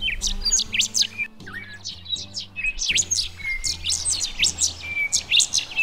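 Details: Rufous Songlark in flight over Australian woody grassland, pouring out a very rapid, high, sweeping jumble of whistled and scratchy notes over a low steady hum; another songlark calls from a high perch in the background, and a black-shouldered kite nearly catches it.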